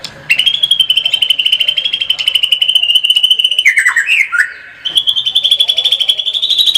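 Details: Murai batu, the white-rumped shama, delivering a gacor tembakan song: a long, even, rattling buzz trill lasting over three seconds, a short break of twisting lower whistles, then another sustained buzzy trill that climbs slightly.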